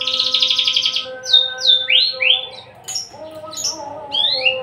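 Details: Unringed male Javan bush lark, tame and feisty, opens with a fast trilling buzz, then gives a series of sweeping whistled slurs, rising and falling, over a constant low hum.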